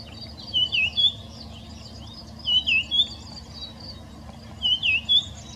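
A red-backed scrub robin sings short, high whistled phrases of three or four dipping notes, repeated about every two seconds over a faint low hum.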